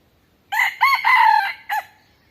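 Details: Chicken crowing on a farm: a loud, strained rooster crow in several joined parts, rising then holding a long drawn-out note, ending with a short separate syllable, in a quiet setting.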